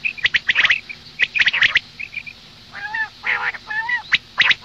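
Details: Female common quail, morning call: a run of sharp clicks and high chips gives way to two drawn-out nasal, buzzy notes with layered harmonics. More clicks follow.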